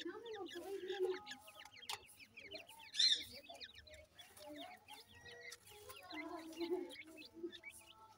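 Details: Dense chorus of grey francolin chicks in Punjab, Pakistan: fast, high, slanting chirps crowding together, with lower soft murmuring notes and a few sharp knocks.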